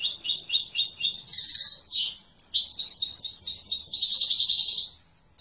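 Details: European goldfinch singing: rapid, high-pitched twittering and tinkling trills in a near-continuous chattering stream, broken by one brief pause before resuming, over a faint low background hum.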